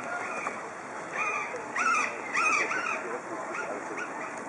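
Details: Red-breasted Goose at Dresden Zoo on May 9, 2011, gives a quick run of shrill, yelping double-noted calls, several in succession, over a steady hiss of background noise.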